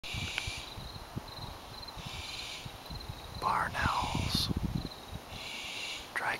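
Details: Barn owls calling from nest boxes in a vineyard west of Healdsburg, California, Dry Creek Valley, recorded June 8, 2011: several harsh descending hissy screeches over a steady high insect-like hiss and rustling noise.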